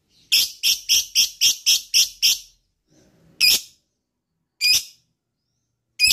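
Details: Lovebird sound used to trigger other lovebirds into long trilling: a rapid burst of eight harsh, high screechy notes, then three single shrill squawks spaced about a second apart, with silence between.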